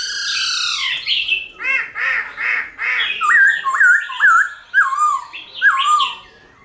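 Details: Wild-style singing of a black-throated laughingthrush meant to prompt caged birds to sing: rough, chattering notes give way to a run of clear looping whistles repeated about twice a second.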